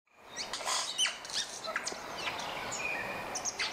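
White-headed buffalo-weaver giving a busy run of squeaky, scratchy chirps and thin high whistles, packed closely together in a noisy chatter.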